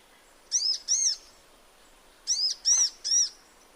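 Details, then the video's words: Sunbird in natural habitat calling with clear, high arched chirps: a pair of notes, a pause of over a second, then three more evenly spaced chirps. "Sunbird Singing Sounds"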